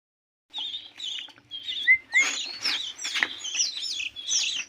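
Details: Fifteen-day-old canary chicks begging: a rapid series of thin, high chirps and squeaky whistled notes, rising in density and loudness after the first second, with short rising and falling slurs repeated without pause.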